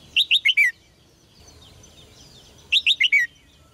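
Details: Red-whiskered bulbul, caged, singing to provoke strong song from males: a rapid four-note phrase of bright slurred whistles, the last falling, repeated after a pause of about two seconds.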